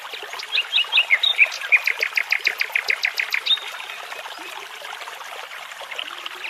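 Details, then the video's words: In a forest near a babbling brook, a nightingale pours out a rapid run of about twenty sharp, repeated notes in three seconds, then fades to softer twitters over a steady wash of running water. "Sounds of Nightingales and Birds Singing"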